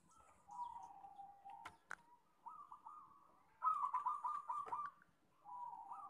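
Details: Local zebra dove singing actively amid a noisier setting: soft drawn-out coos and rippling bursts of rapid cooing, broken by sharp clicks and knocks, with faint background hum throughout.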